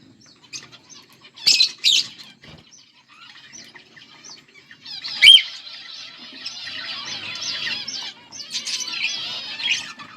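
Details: Budgerigars, an Australian parrot pair, give a few scattered chirps, one sharp loud note, then settle into a sustained soft twittering warble.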